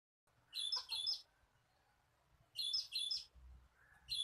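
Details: Cinereous tit song used to attract birds for catching: two quick rasping high notes, a long pause, then the pair again, with a soft lower whistle near the end.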